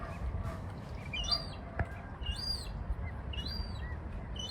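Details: Seagull on the water among ducks in Norway on September 9, with birds diving for small fish nearby; thin, high whistled calls that rise and fall in arcs, repeated roughly every half second over a low steady rumble.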